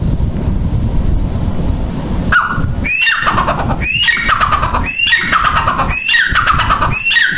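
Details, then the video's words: Female grey francolin giving loud, harsh, rising notes repeated about once a second, over a steady low rumble of wind or traffic. "mada teetar ki awaz"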